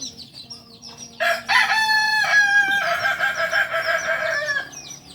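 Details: Kukuak Balenggek singing rooster, native to Solok, from a farm in Solok city: after soft bird chirps, a loud crow begins with a short phrase then stretches into a long wavering tail of around two and a half seconds.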